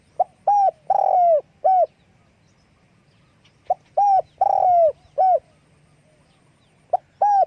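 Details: Spotted dove calling with wing flapping, repeating a phrase of short coos around a longer sliding coo, three phrases in about seven seconds with nothing else audible.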